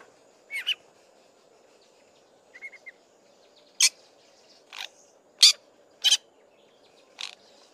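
A Fork-tailed Drongo gives loud, harsh, scratchy bursts mixed with a few soft, thin whistles, spaced irregularly about a second apart, over a low steady hum.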